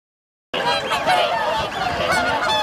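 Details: Wintering swan flock on Lake Hyoko, an artificial Ramsar wetland in Agano City, Niigata, Japan, recorded 8 January 2022 with 2628 swans present; dense overlapping nasal honking calls after a half-second silence.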